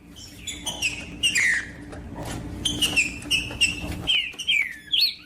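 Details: Green-winged saltator singing to warm up other birds: clear whistled phrases around mid-high pitch, slurred downward notes and a rising flourish at the end, with faint background noise.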